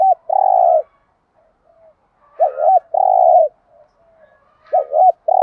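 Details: Spotted dove lure call in the gáy gọi style: a quick wavering double note followed by a long steady hollow coo, repeated roughly every two seconds against a quiet background.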